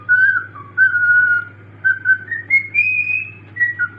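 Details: A pet cockatiel (Nymphicus hollandicus) singing: it whistles a clear, tuneful phrase of sliding notes that climb step by step.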